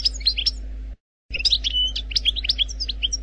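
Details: Brief Algerian goldfinch wild-style song: a few bright chirps, a short silent cut, then rapid varied twitters and a drawn-out level whistle among tinkling notes, a low hum underneath.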